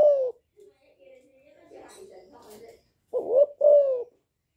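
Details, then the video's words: A young spotted dove coos in the chu lèo style to stir wild birds: a falling coo at the start, a soft low murmuring stretch, then a loud two-part phrase, rising then falling. "Cu gáy tơ gáy giọng hạp bổi GÁY GỌI + KÈM GÙ BO chim cu gáy chu lèo bài bản kích bổi hay"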